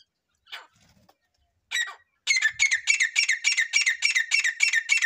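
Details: Partridge chick calling: after a few scattered squeaks, a fast run of harsh, high, squeaky notes repeats about three to four times a second, steady and evenly spaced until the end.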